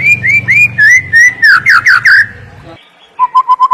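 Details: White-rumped shama training song: clear slurred whistles in a quick series, then a pause and four short evenly repeated lower whistles, with low hum beneath.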